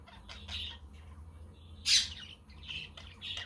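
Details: Budgerigars twittering quietly on a windy, sunny day, a quaker and conure in the background: soft buzzy chirps over a low hum, with one loud harsh squawk in the middle.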